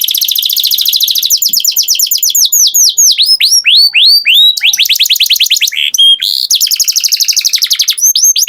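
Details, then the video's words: Caged-style canary song of fast repeated chirps and sweeping whistled notes, shifting from rapid trills to slower looping phrases and back to dense trilling, with no pause. "Canary Singing Beautifully"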